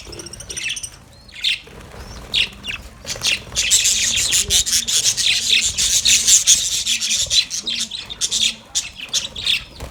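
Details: Budgerigars happily playing inside their cage build from scattered chirps into fast, buzzy, scratchy chatter, with rubbing sounds and a steady run of rapid high notes.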